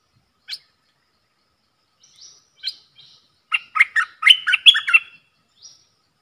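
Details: Bulbul kept in a cage, singing a duel against wild birds on 3 October 2021: isolated sharp chirps and a soft rising whistle give way to a rapid run of loud, rich, bubbling notes, ending with one thin upslurred whistle.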